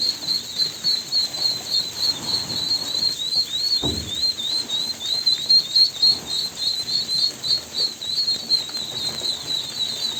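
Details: Constant high peeping from ducklings, quick wavering notes repeated about three to four times a second, with one brief thump partway through.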